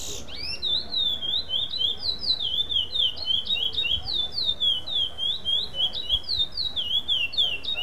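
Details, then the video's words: Black chestnut-bellied seed finch singing in a competition at Limeira, Brazil, taking second place in a non-repeating song category: a rapid, unbroken run of clear whistled slurred notes, about three or four each second, varying in shape with no repeated phrase. "Canto de Curió preto - SEM Repetição"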